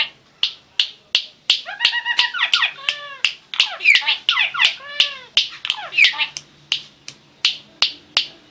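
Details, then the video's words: Starling singing a busy, varied song: sharp dry clicks repeated roughly three times per second throughout, overlaid mid-phrase with rapid warbling, slurred up-and-down whistles and harsh squawky notes, ending again on bare clicks. "Starling Bird Singing"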